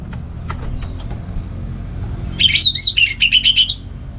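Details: Morning song of a caged orange-headed thrush in Singaraja, north Bali, ngeplong style used to tutor other birds; faint ticks first, then a quick one-and-a-half-second run of chattering, whistled notes.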